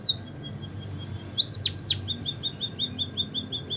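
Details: White-headed munia chirping as a lure for singing birds: a high opening note, two loud downward-swooping chirps, then a regular string of soft, high, short peeps repeated several times a second.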